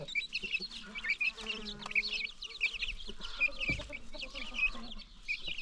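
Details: New baby chicks among free-range farm chickens peep continuously in high, short chirps, with a steady soft clucking hum underneath.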